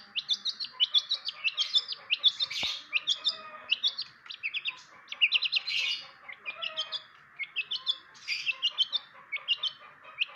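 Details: Long-tailed shrike, known locally as cendet, singing a dense run of short, sharp high chirps and squeaky notes with occasional harsher rasping bursts, over a steady droning hum.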